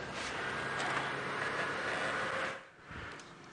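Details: Steady broadband rumble and hiss of a moving vehicle, easing off briefly before rising again.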